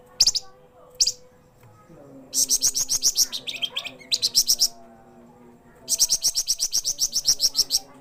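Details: Javan fulvetta, known locally as flamboyan or wergan jawa, singing actively day and night: bursts of very high, rapid, sharp chattering notes, about ten per second in runs of one to two seconds, with pauses between, over a faint low hum.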